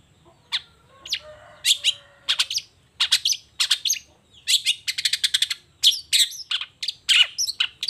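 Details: Lively morning song of a long-tailed shrike: sharp, clipped notes delivered in irregular rapid series, some grating and broadband, with a brief low rattling passage early on and a quick stuttered run near the middle. Quiet background.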